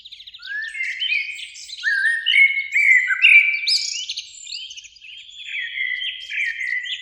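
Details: Springtime song of two Eurasian blackbirds in a beech tree by a lake at evening, a dense run of rich fluted, slurred whistles, overlapping phrases with scratchy high twitters mixed in.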